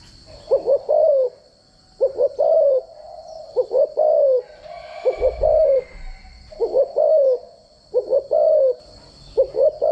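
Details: Spotted dove decoy cooing for daily voice training: repeated phrases of a short stuttered note followed by a longer mellow coo, about forty per minute, with a faint low thud midway and steady background hum.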